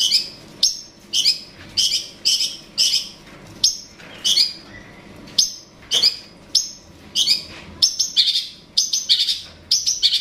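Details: Long-tailed shrike giving calls meant to provoke a rival, a run of loud, grating high chirps in quick succession, some doubled, occasionally mixed with a softer whistled note, over quiet background hum.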